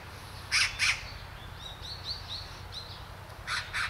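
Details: Great spotted woodpecker at Hanbam Village in Gunwi, South Korea, gives two sharp kik notes in quick succession, then a later softer pair, while another bird sings thin rising whistles between them.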